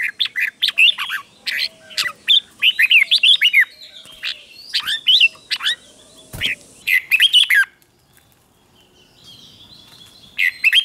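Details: Caged red-whiskered bulbul singing a doubled song played to teach young birds to copy: rich, bubbly whistled phrases in quick bursts, each a few notes rising and falling, with short pauses; faint background hum.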